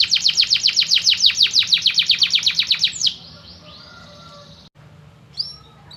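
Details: Canary song meant for training other birds: a quick, regular rattle of sharp falling notes for three seconds, then a soft drawn-out tone and near silence with one faint chirp.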